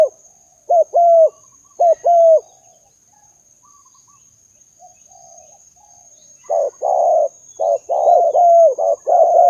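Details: Spotted dove call used to lure doves, in Malaysia or Indonesia: short mellow coos in paired bursts, then after a pause a faster run of repeated coos, with a steady high electronic whine throughout.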